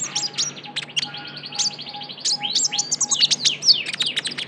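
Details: Used as a lure call, a young Javan white-eye pours out busy, high twittering with sharp chirps, squeaky slurred notes and brief whistles almost without pause, plus a faint repeated lower tone.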